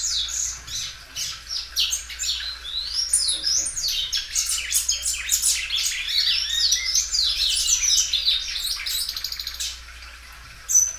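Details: Loud, carefully kept Belgian canary repeating and stretching its song: a long continuous stream of very high twittering trills and sweeping chirps, slowing toward the end before a final sharp note, over a low background hum.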